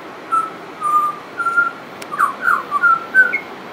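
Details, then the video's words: Pied butcherbird in full song, with mimicry noted: sustained pure whistles at an even pitch, then a faster string of rich, downslurred fluty notes climbing toward the end. "Pied Butcherbird wouldn't shut up"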